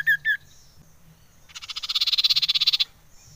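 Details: Lure call of a common iora, meant to stir up other ioras. Two quick whistled notes open it, then after a pause a rasping rattle builds, its rapid, evenly spaced pulses growing louder.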